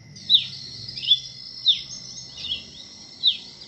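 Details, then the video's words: Masked cardinal, resident in Colombia, Venezuela and Trinidad and Tobago, uttering short, thin chirps that dip sharply, five evenly spread notes over a steady high tone. "O canto do Cardeal mascarado"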